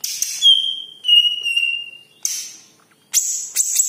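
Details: Cucak ijo (green leafbird) with a yellow head, its song offered as a lure to make other birds sing: long pure steady whistles alternating with short harsh high bursts of chattering notes.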